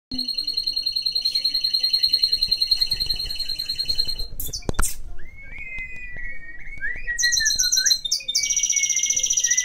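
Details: Pet mixed-breed canary singing: a rapid, even trill with stacked high harmonics, a sharp clatter, then thin sliding whistles, then a buzzy high trill resumes at the end.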